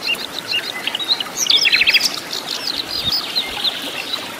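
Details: Flycatcher (sikatan londo) in the wild, natural habitat, giving a busy high song of short twittering notes and a brief burst of rapid descending strokes, with soft overlapping chirps throughout.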